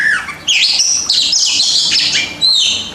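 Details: White-rumped shama (kacer) kept as a pet, master song for coaxing reluctant birds to sing: a continuous stream of loud, scratchy and whistled high notes, rapid and varied, in three linked bursts.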